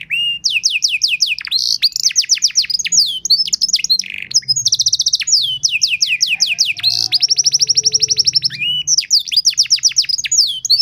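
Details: Canary training song (masteran and pancingan) meant to teach other canaries a rich song and prompt them to sing: fast trills of repeated high notes, quick downslurred sweeps and bright whistled phrases, switching between patterns with almost no pauses.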